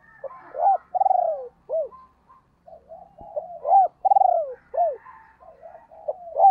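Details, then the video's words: Female spotted dove calling to provoke males, repeating a pattern twice: a loud bent hoot, a throbbing rolled coo descending in pitch, then a short arched coo, linked by soft murmured notes. "cu mai gay kich boi nhanh noi"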